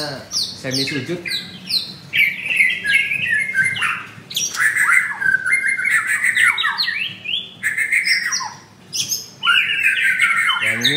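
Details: Caged male white-rumped shama in a Jakarta bird kiosk in Kemayoran, singing loud, dense phrases of harsh clipped notes mixed with rapid downslurred whistles and trills, broken by short pauses between bursts.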